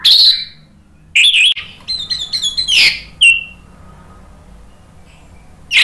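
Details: Orange-headed thrush lure song: a strong high whistle, then a fast jumble of varied chirps and twittering notes, a clear downslurred whistle, and quiet before a final sharp note.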